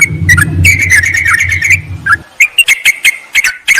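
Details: Lure call of a yellow-vented bulbul summoning a rival: rapid liquid chattering over a low humming background that fades after two seconds, then spaced, sharp chirps and quick phrases.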